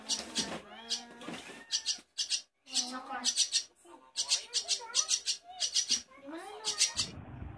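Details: A young Javan myna being trained to talk gives harsh, hissing bursts mixed with warbling, speech-like notes in quick irregular phrases; a voice may also be heard.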